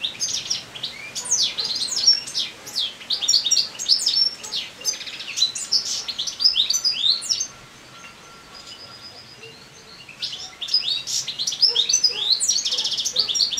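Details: Moulting European goldfinch in late summer delivering a long, fast twittering song of high tinkling and buzzy notes, with a short pause midway before the lively chatter resumes.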